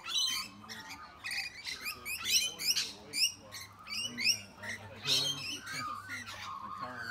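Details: Rainbow lorikeets bullying much bigger birds such as sulphur-crested cockatoos and brushturkeys give harsh, shrill, rasping screeches in quick irregular bursts, several birds overlapping, with a man talking quietly underneath.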